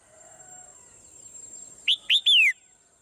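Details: Swallow in the morning giving two sharp high chirps and then a longer pure whistle that falls smoothly in pitch. A faint distant tone and low murmur come before the phrase.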